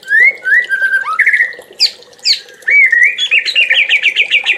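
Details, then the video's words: White-rumped shama, called murai, on a 2021 masteran track for training songbirds: clear, fluty slurred whistles, some sweeping up, then a quick run of chattering notes repeated rapidly at the end. "MURAI JUARA"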